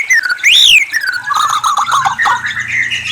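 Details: White-rumped shama giving a bright rising-and-falling whistle, then a tumbling run of lower warbled notes and a sustained, wavering high phrase.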